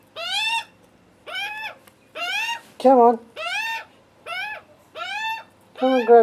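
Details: Screaming, hungry young Australian magpies begging for food on their first visit, the wary adult male nearby. Loud, grating, down-curving screams come in a steady series about once a second, with a deeper rasping note between them.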